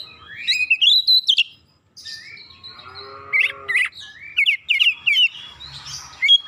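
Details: Oriental magpie-robin song used to trigger singing in other magpie-robins. A fast rising whistled phrase, a short silence, then scratchy chatters and bright, rapid whistles.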